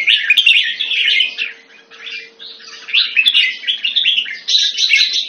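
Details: Red-whiskered bulbul, a cage bird kept in Singapore in Thai style, February 2018: loud chattering, warbled phrases that dip briefly into a quieter passage near the middle, then resume in bright, fast-rising bursts; a faint steady hum runs underneath.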